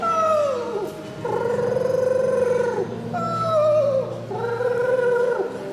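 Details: Screech owl, a captive rescued raptor at a flight show, giving a wavering, descending whinny and then a long, steady, mid-pitched trill, twice, over a low background hum.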